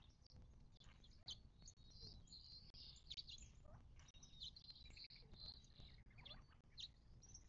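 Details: Continuous high twittering and short tweets from birds gathered at a desert watering hole in the western Mojave, southern California, not far from Joshua Tree National Park, 19 March 2024, with a faint low drone beneath.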